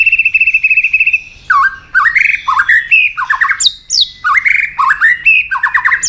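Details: Fired-up white-rumped shama urged into combative singing, tail flicking. A rapid trill opens, followed by repeated harsh, rising and falling slurred notes in short bursts with brief pauses between them.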